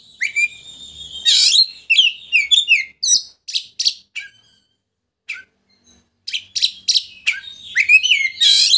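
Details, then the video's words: Oriental magpie-robin singing to trigger a rival's display of an opened tail: rapid sequences of sharp slurred notes and loud harsh bursts, a pause of about a second, then more varied chatter. "Pancingan Kacer Gacor Untuk Memancing Emosi Lawan Agar Mau Buka Ekor"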